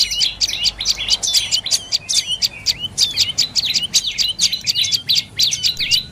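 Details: Dark-necked tailorbird giving rapid, high, sharp chirps in quick repeated bursts, several notes a second, loud and close with a quiet background.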